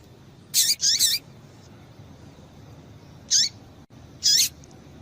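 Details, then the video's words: A female Double-collared Seedeater gives four short, high, sweet chirps in two pairs, with quiet hiss between them, played to stir a male to sing. "Piado de Fêmea de Coleiro para Esquentar Coleiro"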